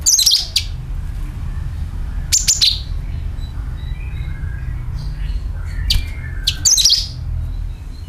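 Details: Sooty-headed bulbul calling, used as a lure: a few sharp, rapid chirp bursts sliding downward, with long quiet gaps between them and a steady low hum underneath.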